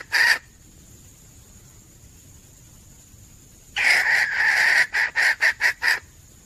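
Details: Female red junglefowl, a hunting-lure recording: one short harsh cluck, a quiet gap with a thin high whine, then a burst of rapid rasping cackles.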